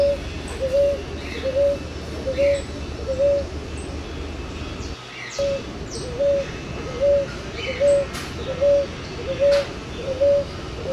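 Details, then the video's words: Ruddy ground dove (rolinha-roxa) cooing rhythmically, a dozen short mellow two-part notes at an even pace, broken by a brief silent gap midway, with faint higher bird chirps, clicks and a persistent low hum. "ROLINHAS ROXAS"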